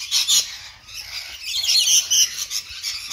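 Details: Several rainbow lorikeets tucking into an apple, giving harsh, high, rasping screeches in quick overlapping bursts that rise and fall in loudness.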